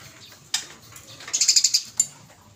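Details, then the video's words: Eurasian tree sparrow calling in fighting style for training use: isolated sharp chips, then a quick string of about seven high, bright chirps and one final chip. "GEREJA TARUNG GACOR"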